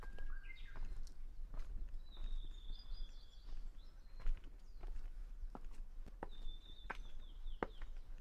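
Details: Song of a Japanese bush warbler at Kenchō-ji's Hansōbō, Kamakura, Japan, 6 June 2020: a lower opening note, then long level high whistles ending in quick falling flourishes, twice, amid crunching footsteps.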